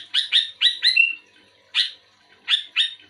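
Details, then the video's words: Sooty-headed bulbul in vigorous song, responding to a fellow bulbul, delivers a quick run of four harsh chirps ending in a sliding whistle, then spaced single and paired chirps. "Suara burung kutilang gacor aktif merespon kutilang bahan omyokan macet malas bunyi auto bunyi gacor"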